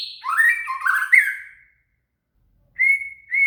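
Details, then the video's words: Shama, called murai, singing as training material for a cililin: a tumbling rich whistled phrase, a short silence, then two level clear whistles. "SUARA MURAI"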